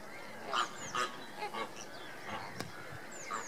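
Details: Andean flamingos in display, recorded on 29 April 2014: a flock giving short nasal honking calls in quick irregular bursts, several birds overlapping, with a faint click.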